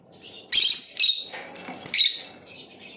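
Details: Blue Opaline lovebird giving loud, rasping, high chirps: a long scratchy burst, a softer squeaky middle part, then another shrill chirp, over a steady low hum.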